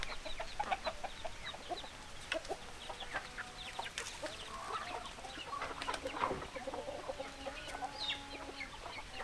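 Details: Hens clucking in a busy flock: short, repeated clucks overlap with a few drawn-out tonal calls in the second half. No other clear sounds.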